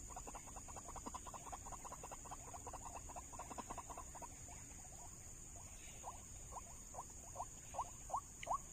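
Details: White-breasted waterhen answering a trapping lure in an oil palm plantation not trapped before. A fast run of short, clipped notes gives way to spaced, rising yelps near the end, over a steady high hiss.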